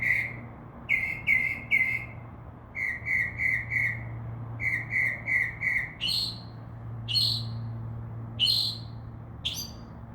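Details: Northern mockingbird, heard from a window as it sings in a tree: clipped notes delivered in quick pairs and triples, repeated several times, then a new phrase of sharp high downslurred notes spaced about a second apart.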